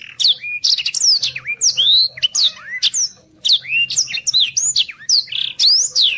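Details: Training master of a Black-throated Canary's fast, chatty song for competition birds: rapid high whistled slurs, rising sweeps and sharp chirps in quick phrases, with one short pause midway and a faint low hum.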